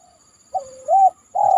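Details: Spotted dove (tekukur) calling after heavy rain from a banana trunk: a short mellow coo sliding into a rising, arched coo, then a loud sustained coo beginning at the end; quiet background.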